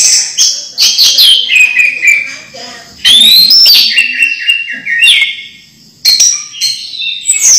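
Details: A captive, house-kept orange-headed thrush sings loud, varied phrases of bright whistles and rapid trills that slide downward, with short pauses between bursts, used to lure other thrushes into song.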